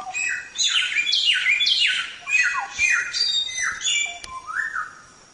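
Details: Samyong singing as a training recording for songbirds, strong slurred notes sweeping downward one after another, ending with a softer rising-and-falling whistle and quieter trailing notes.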